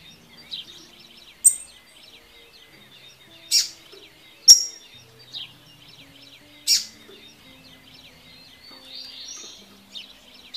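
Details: Double-collared seedeater (Sporophila caerulescens) sings its tui-tui song, used for training young birds, as rapid high twittering chirps in a continuous run, cut by several sharp clicks, with a faint low hum underneath.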